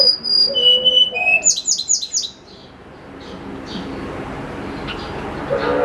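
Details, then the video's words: Morning song of a snowy-browed flycatcher, used to lure birds: high, pure whistled notes descending in steps, then a rapid run of sharp, ringing chips, with a few lower hollow notes beneath and soft background noise afterward. "PANCINGAN SUARA BURUNG TLEDEKAN GUNUNG GACOR"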